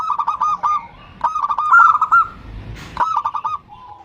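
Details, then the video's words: Female zebra dove calling the male: short, crowded bursts of rapid rolling coos, a brief noisy click mid-way, then another quick series trailing off into a soft lower note. "Suara Perkutut BETINA Memanggil JANTAN || The sound of a female turtledove calling male."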